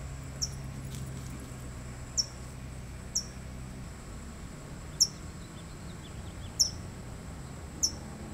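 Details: California towhee (Melozone crissalis) guarding a chick, giving sharp, high, metallic chip notes, six spaced irregularly one to two seconds apart, over a steady background hiss and low rumble.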